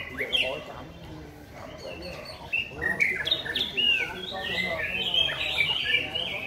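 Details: White-rumped shama singing: a varied run of clear whistles, slurred warbles and chattering notes that grows busier and louder toward the end, over steady background noise.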